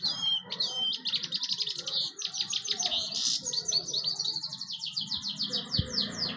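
A European goldfinch sings a fast, liquid jumble of bright tinkling twitters and buzzy trills, high-pitched and nearly continuous, over a faint low background murmur.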